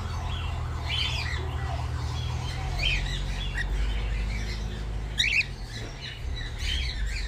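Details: Saddle-back pied white-face cockatiel mutation calling with scattered harsh squawks and chirps throughout, some clustered together, over steady low hum and background noise.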